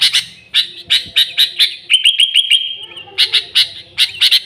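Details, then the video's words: Sooty-headed bulbul in unmixed, energetic song used to lure its own species: bright bubbly chirps in quick phrases, a fast run of short repeated notes on one pitch midway, then more loud chirping. "Suara Burung Kutilang Gacor ASLI Tanpa isian"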